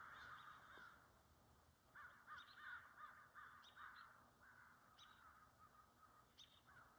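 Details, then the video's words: Crows gathering for their meeting while deer feed nearby, giving a series of rough, throaty caws in close succession after a brief opening call, fading into sparser notes, with light background hiss. "The Crows Call"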